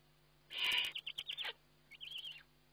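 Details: Eurasian eagle-owl at a nest webcam during feeding, 29 May 2011: a loud harsh burst, then a run of short high chittering notes and a brief rising twitter, over a steady low electrical hum.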